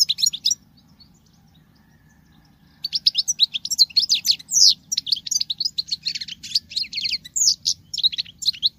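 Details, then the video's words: Singing like a male, a female European goldfinch gives a short twitter, falls silent for two seconds, then pours out a sustained, lively stream of high, jingling, chattering notes above a faint low hum. "Femelle chardonneret qui chante que le mâle l c'est bizarre !!!"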